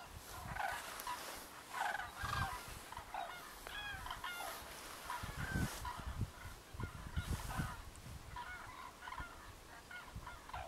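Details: Common cranes foraging in a winter field, pecking here and there. Several birds give overlapping trumpeting, honking calls in scattered bursts, some rising and bugled. Steady low rumble of wind or handling noise runs underneath.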